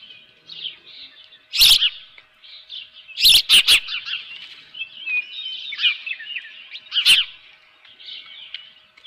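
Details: Osprey nest, 24 June 2018 at 7:32 AM, live fish delivered; soft high chirps run throughout, rising into a busier chattering series midway, with a few sharp knocks.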